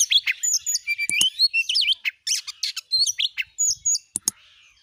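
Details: Oriental magpie-robin singing as a lure to prompt a kept bird to sing: clear varied whistles, some steady and some rising, mixed with short chirps and sharp high clicks, then brief pauses.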